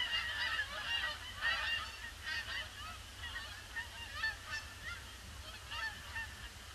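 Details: Flock of Canada geese circling a pond before landing on a grey Boxing Day; loud, clear honks in bursts roughly once a second, many birds overlapping, over faint low rumble.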